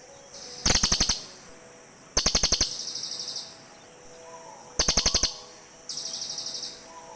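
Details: Back-and-forth calling of cililin birds, with four bursts of fast, high, metallic ticking trills, each under a second, overlapping slightly as one bird answers another.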